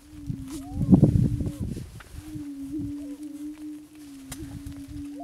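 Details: Endangered Attwater's prairie chicken, a greater prairie chicken subspecies found only at three places in Texas. A continuous low hum dominates, with faint wavering whoops and a cluster of soft thuds early on.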